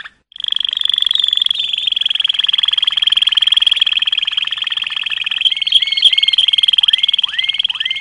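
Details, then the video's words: Malinois canary delivering a long sustained rolling trill, steady and unbroken for several seconds, ending with a few rising whistled notes repeated at intervals. "chant canari malinois;canto canario malinois;تغريد كناري مالينوا"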